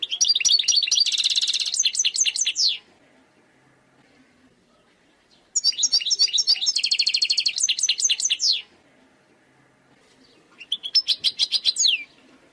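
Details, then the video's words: Wild European goldfinch singing in three bursts of rapid, tinkling twitters mixed with buzzy trilled passages and falling slurs, each burst a few seconds long and separated by short silences. "chant chardonneret sauvage khalwi حسون goldfinch jilguero تغريد مقنين خلوي"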